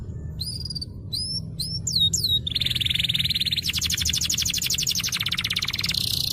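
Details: Master recording of an energetic canary, meant to get silent birds singing, opens with quick upslurred whistles and breaks into long fast trills and rattling pulsed phrases, one after another, with a low background hum.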